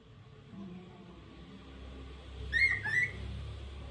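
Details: Lutino cockatiel giving two short whistled notes close together, each sliding up then down, after a stretch of low room hum.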